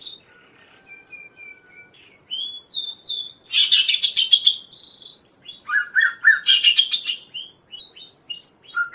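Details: Kaso-kaso singing, used as a training and lure recording: a varied song of thin level whistles, dense buzzy rattles, quick repeated upslurred notes and short high slurred whistles.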